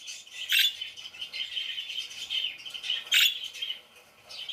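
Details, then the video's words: Parakeets chirping indoors: a steady high twittering band with two louder sharp chirp bursts, near the start and past three seconds, over continuous busy chatter. "PARAKEETS CHIRPING SOUNDS"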